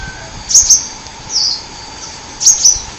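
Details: Wild sunbird from the forest giving high, thin, sharply down-slurred chirps in two paired bursts about two seconds apart, with a softer buzzy note between them over a faint steady hum.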